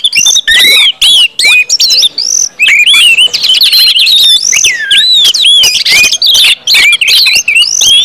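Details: 'Ngeplong' song of an Orange-headed thrush, played to stimulate other birds to sing. Loud, continuous whistling of arching, looping notes is delivered in fast, varied phrases with brief breaks.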